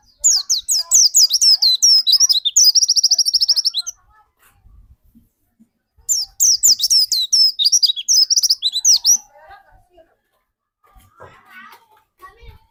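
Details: Dakun white-eye singing hard, used as a lure so other white-eyes start singing: a four-second torrent of high, falling twitters that speeds into a rapid even trill, a pause, then another dense burst, with soft chatter and clicks between.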